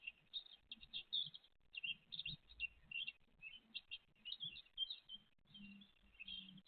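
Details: Great tit mother with her chicks, recorded 29 April 2023: a continuous stream of rapid, high, thin chirps and twittering notes, overlapping in dense bursts with short pauses, faint low background rumble.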